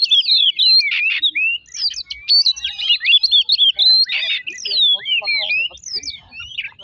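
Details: Oriental magpie-robin song used as a lure to provoke another bird: a dense, fast run of varied whistled phrases, rising and falling sweeps and sharp chirps, almost without pause.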